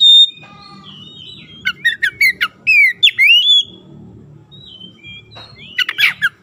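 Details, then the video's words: Oriental magpie-robin singing loudly over a constant low humming background. A long steady whistle opens, followed by rapid bursts of slurred and sharply rising notes. After a pause, a final cluster of harsh twittering notes follows. "PANCINGAN KACER LELET BISU | PASTI AKAN IKUT GACOR NGEPLONG GACOR"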